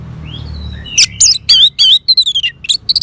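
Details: Orange-headed thrush song used to coax caged birds into singing: a faint rising whistle, then a rapid burst of loud, wavering, trilled whistles, each note quick and varied in pitch, in clipped phrases.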